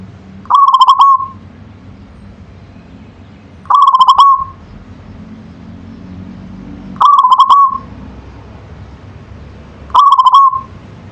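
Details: Local zebra dove repeating its staccato cooing phrase four times, roughly every three seconds, each a quick bubbly run ending in a short level trill, over a faint low hum.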